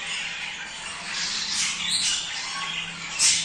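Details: Budgerigar song to encourage mating: scratchy, continuous chattering with a short squeaky note in the middle and a sharp high squeal at the close.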